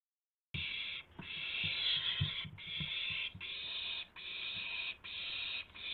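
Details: Owl recorded at 12:25 AM on April 7, 2016, during a gopher delivery with flapping and pouncing: harsh hissing screeches, each about a second long, repeated with short gaps, over soft low thumps.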